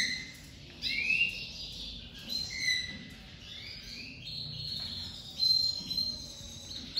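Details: Domestic canary of the crested lavandeira type, coming out of moult, singing very loudly: high rolling trills and sliding whistled notes in short bursts with brief pauses between phrases.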